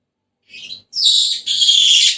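A Senegal parrot gives a short rasping note, then a longer shrill, buzzy screech with a whistled edge, lasting about a second.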